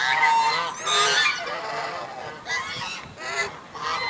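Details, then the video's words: Gaggle of greylag geese honking and flapping wings, filmed in Vineland on December 22, 2020: overlapping harsh, nasal honks from several birds in loud bursts with short pauses between them. "Greylag Geese Honking"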